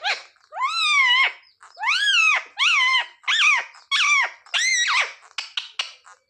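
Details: House parrot imitating "mummy papa": a string of about eight arched, harmonic, voice-like syllables in steady succession, loud and clear, getting shorter and choppier toward the end.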